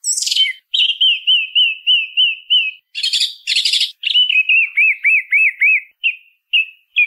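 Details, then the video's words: Song thrush singing: a high, shrill opening, then a wavy whistled note repeated about eight times in a steady run, a burst of harsh scratchy notes, and another repeated wavering phrase of five or six notes. "SONIDO de ZORZAL COMÚN CANTANDO"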